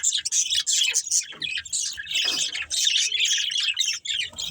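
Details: Breeding pair of budgerigars chattering continuously: dense, scratchy, high warbles and chirps in quick overlapping bursts with barely any pause.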